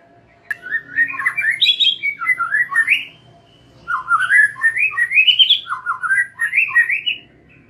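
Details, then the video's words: White-rumped shama song used as a lure for young and wild-caught birds: rich whistled phrases sliding up and down between low and high notes, delivered in two bursts separated by a short pause. "Pancingan MURAI BATU BAKALAN dan MUDA HUTAN agar NGEPLONG"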